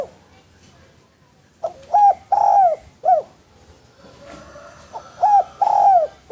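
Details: Spotted dove singing, used as a lure and training master for doves: quiet opening, then two mellow phrases of short rising coo, long swelling coo and falling coo, with faint clicks and a thin high tone between them.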